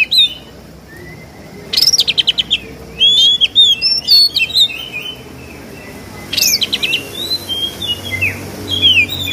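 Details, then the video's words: Oriental magpie-robin from Kudus, song rich in imitations of sparrow and kingfisher: sparse clear whistles, short rattling bursts and upward-flicking notes separated by pauses, with a constant low background hum. "KACER GACOR FULL NEMBAK ISIAN MEWAH ,GEREJA TARUNG TENGKEK"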